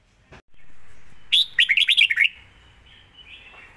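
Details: Red-whiskered bulbul delivering a rapid-fire song in the 'fast-beak' style: a quick burst of about eight bright, slurred whistled notes packed into one second, rising and falling, set against a soft background hum.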